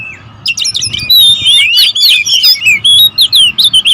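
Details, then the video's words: Oriental magpie-robins, a territorial species, in a noisy bout of song: starts quiet, then a rich rush of overlapping whistled slurs and chirps, ending in short clipped notes repeated roughly twice a second. "KACER RIBUT, memancing serta menaikkan emosi kacer agar cepat gacor"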